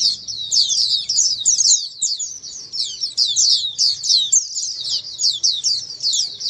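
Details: Oriental white-eye (pleci ombyokan) singing, used to prompt silent caged white-eyes to answer and sing; a continuous, high, rapid twittering of tumbling chirps, nearly unbroken across the clip.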